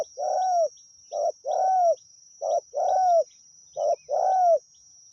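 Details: Wild spotted dove calling steadily while being lured with a decoy: four phrases, each a short hoarse coo followed by a longer, rough, slightly falling coo. A thin steady high whine runs throughout.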